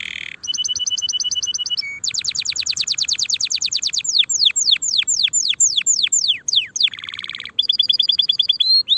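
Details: Canary song meant for tutoring young birds early before the coming season, 2024: a high pure whistled note, then a fast run of descending sweeps and a low buzzy roll, ending in clear repeated whistles.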